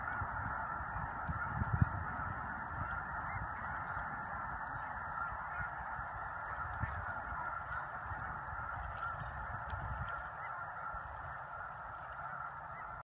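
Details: Snow geese gathered during spring migration at Choteau, Montana, on March 18-19, 2015. A distant-sounding, even carpet of countless honks continues throughout, over soft wind rumble, with a single sharp knock early on.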